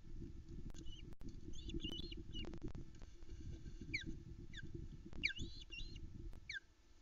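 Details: Loud calls from a female osprey at her Loch Arkaig nest near 5am, 13 July 2019, waiting for the male to bring food while her young share the nest: clusters of high, slurred whistles, some falling steeply, spaced roughly a second apart above constant low hum.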